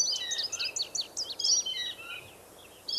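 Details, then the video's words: Indigo bunting singing in a forest: a rapid cluster of high, sweet chirped and slurred notes tumbling over about two seconds, then a pause and a fresh burst, over soft background hiss. "RELAX OR STUDY WITH NATURE SOUNDS: Indigo Bunting in the Forest"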